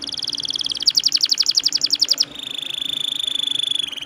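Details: Atlantic canary singing a long rolling song used as a lure: a rapid pulsed trill of about fifteen notes, then a smooth sustained lower roll running to the end.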